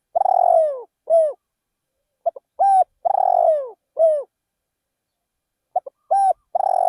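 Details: Spotted dove decoy bird calling in a rice field. Three cooing phrases are heard, each with clipped opening notes, a loud trembling coo curving downward, and a short closing note. Faint high thin sounds are heard in the background.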